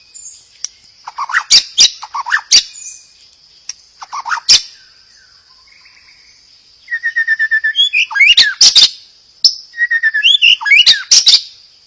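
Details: White-rumped shama singing to provoke other birds to sing: sparse sharp calls and brief whistles, then quick buzzy trills and loud sweeping notes later, with a steady high hiss throughout.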